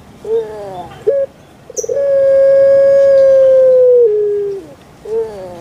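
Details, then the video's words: Pet puter pelung dove from Java, Indonesia, a voice described as kuk gerukkk kwokkk: two short wavering notes, then a long level hollow coo of over two seconds that drops near its end, followed by another short wavering note. "BURUNG PUTER PELUNG"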